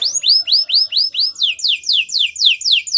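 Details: Singing white canary delivering looping arched whistles in regular succession, then switching to steeper downward-sliding sweeps at the same steady pace.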